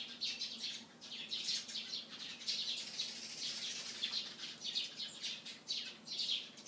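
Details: Morning chorus of Eurasian tree sparrows by a white sports car, with high, scratchy chirps tumbling over one another almost without a break, in bursts every second or so.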